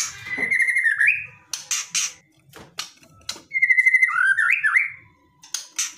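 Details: White-rumped shama singing aggressively to draw a response from a quiet bird. Clear whistled phrases twist up and down, separated by sharp clicking notes and short silences.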